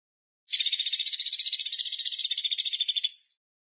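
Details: Velvet-fronted nuthatch in a paused, distant-sounding song style: a loud, dry, high rattling trill of about thirty rapid clicking notes over roughly two and a half seconds, even in pitch, with silence around it.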